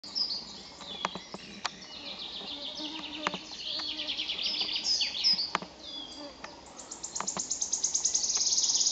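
A wood warbler's high, thin notes speed up into a loud, shivering trill at the end, over a background of other high chirps and a few clicks.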